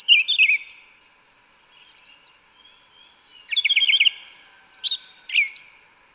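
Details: Forest song of the yellow-legged thrush, the 'canto mateiro' style: a quick warbled phrase, a pause of nearly three seconds, then a rapid run of rolling trilled notes and a few high chirps over a faint constant hiss.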